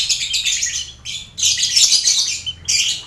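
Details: Lovebirds chattering in a lively colony cage alongside finches and quail, a training sound for contest birds; two long walls of shrill, rasping chatter separated by a brief lull.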